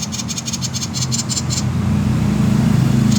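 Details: Common iora, 'konslet' call style used to prompt other songbirds to sing: a quick series of harsh, high rattling pulses for about a second and a half, then fading out while a low droning hum grows louder.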